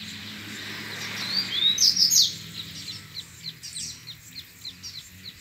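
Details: Wild double-collared seedeater disputing song with rivals in the grego style; a short burst of sharp, high slurred notes, then a regular series of brief chips, roughly three per second.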